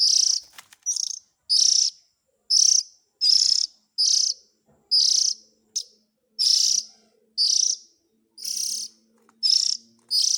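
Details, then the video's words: Harsh rasping of an Oriental magpie-robin chick, used to attract parent birds. About a dozen short, high, scratchy bursts repeat irregularly over ten seconds, with a faint low hum in the background. "Suara Pikat indukan burung kacer ,suara anak nya"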